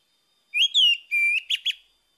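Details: Orange-headed thrush in the morning, offered as a lure to restart a silent singer: one loud, clean phrase of two drawn-out falling whistles, a level whistle, then two short sharp notes.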